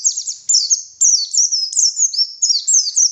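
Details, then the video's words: White-eye singing energetically in the morning as a lure, a continuous stream of very high, thin, twittering and downslurred whistles with hardly any gaps. "Suara Burung Pleci Gacor || Pancingan Pleci Ngalas Pagi Hari"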